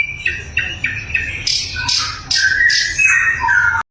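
A flycatcher sings a quick run of clear whistled notes, some rising and some falling, with a few buzzy, squeaky phrases. A low hum sits underneath.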